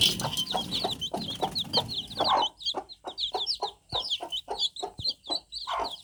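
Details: Just-hatched baby chicks in a group, giving a steady stream of shrill, rising-then-falling cheeps several per second, with repeated dull knocks and rustling below the peeping.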